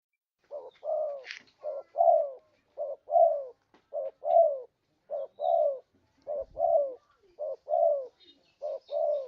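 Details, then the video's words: Spotted dove lure call used for trapping: low hollow coos in paired phrases, a short note followed by a longer downward-sliding one, repeated roughly every second with steady rhythm; one brief higher chirp early on. "Suara pikat burung tekukur ampuh"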